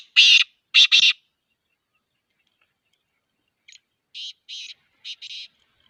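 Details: Black francolin call series: loud grating, buzzy notes in a stuttering triple, a gap, then a softer, more distant-sounding run of five rasping notes, with no other sounds.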